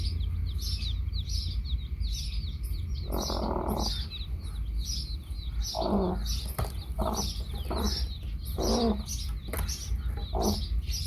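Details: Hen with baby chicks: dense high cheeping from many chicks throughout, joined in the second half by several low clucks, with a loud low background rumble.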